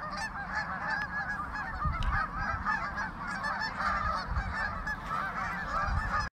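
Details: Pond crowded with thousands of geese, their nasal honks blending into a ceaseless, noisy chorus with a low rumbling background throughout.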